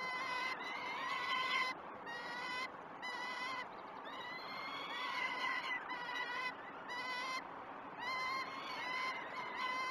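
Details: Peregrine falcon chicks at the Great Spirit Bluff nest, filmed by live nest camera at 06.20 on 12 June 2018 during the first feeds of the day. They give harsh, harmonic screeching wails in long bursts with short gaps, over steady wind-like hiss.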